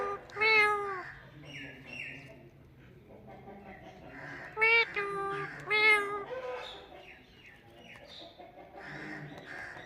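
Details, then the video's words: Chatty Indian ringneck parakeet imitating speech: repeated loud, nasal, wavering syllables at the start and again around the middle, mixed with many softer rapid mumbled notes throughout. "Funny Talking Parrot"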